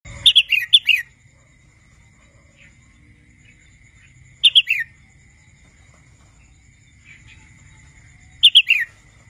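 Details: A young wild red-whiskered bulbul, still learning to sing, gives short bursts of three to five bright, slurred whistled notes falling in pitch, roughly every four seconds against a quiet background.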